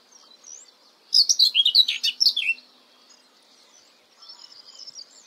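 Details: Common whitethroat (Curruca communis), song.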